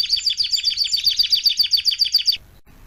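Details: ['Tutor song of a canary for young birds learning to sing: a bright, rapid trill of repeated high chirps, about six per second, loud and even, then ending suddenly into near silence.']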